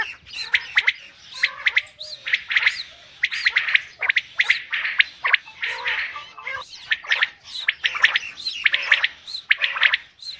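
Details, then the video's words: Female common quail calling persistently: rough, squawky note groups repeating about once a second over ten seconds with little silence between. "common quail female sound"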